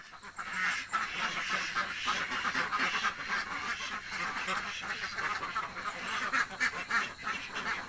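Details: Hungry ducks in a village keep up a dense, continuous chorus of harsh, overlapping quacks, many birds calling at once with hardly a pause over several seconds.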